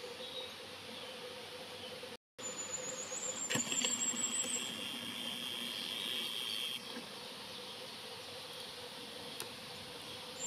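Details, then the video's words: Firecrest singing in spring 2021 at Verdelais, Gironde, France: one short, very high, thin and faint song phrase that quickens toward the end, over steady hiss and a low hum. "Roitelet à Triple Bandeau, chant"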